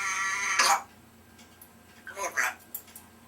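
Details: A talkative 3-year-old female African grey parrot gives a harmonic, voice-like utterance, then a pause and a couple of short, throaty speech-like bursts in a quiet room.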